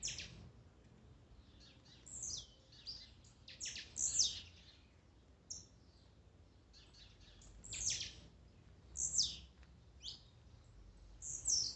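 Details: Blue-black grassquit songs and 'macheados' played as a warm-up for a kept bird: repeated sharp, buzzy, high downslurred notes, several birds calling, in irregular bursts about every four seconds.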